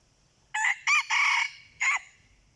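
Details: Red junglefowl crowing during decoy luring of wild birds: a clipped four-part crow, a short note, a brief second, a longer strained middle phrase, then a separated final note, in a quiet background.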